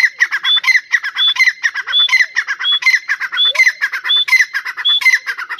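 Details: Grey francolin from a Dakni and Irani type compilation: loud, harsh, evenly paced repeated call notes, each with a short rising whistled element, continuing without pause.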